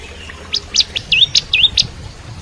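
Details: 'Kristal'-style song of a Bar-winged prinia, recorded to train a young White-rumped shama: a brief phrase of six high notes mixing sharp clicks with two swooping, dipping whistles.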